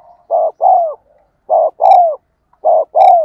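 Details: Decoy spotted dove of the 'giọng đồng' voice type, used to stir wild doves into cooing back: three loud doubled coos, each a clipped note followed by a fuller, downward-bending hoot, separated by short silences.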